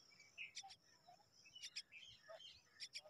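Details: Common myna young, hungry while their mother is away, utter scratchy doubled rasps in quick clusters, interspersed with thin chirps and brief whistled notes.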